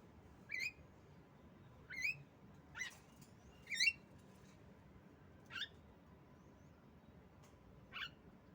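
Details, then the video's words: Female Javan myna, used as a lure to stir silent mynas into singing: six short squeaky rising notes, some with a sharp upward flick, spaced irregularly about one to two seconds apart over a faint steady hum. "pancingan jalak kebo Macet Bunyi"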